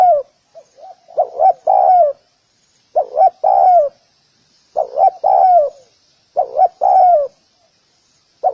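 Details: Cooing of a spotted dove calling to draw in other doves. Steady phrases repeat about every two seconds, each a couple of soft short notes followed by a drawn-out throaty coo, with no other sounds.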